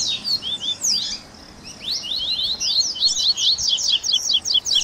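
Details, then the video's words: Warm-up 'baderninha' of the Double-collared seedeater, played to encourage a captive bird to sing: scattered slurred chirps, a short lull, then an accelerating series of quick, sharp zigzag notes. "Baderninha de Coleiro Top FAÇA SEU COLEIRO CANTAR em 30 Minutos - Esquenta de Coleirinho!"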